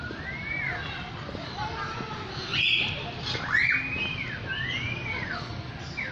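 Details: A lyrebird sings a series of looping whistled arches that rise and fall, about one each second, with a few sharper high notes in between and constant low background noise.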